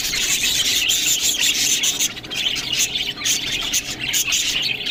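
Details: Budgerigars feeding on green food produce shrill squawks and squeals over a dense background of high chirping from many birds.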